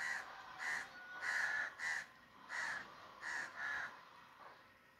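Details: Crow giving a burst of rough, clipped caws in irregular pairs, fading toward the end.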